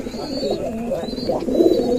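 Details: Several caged male Giribaz pigeons in a loft in Rajshahi, Bangladesh, cooing and quarrelling while others feed; overlapping low throaty coos with rising and falling swoops, a few faint higher chirps behind.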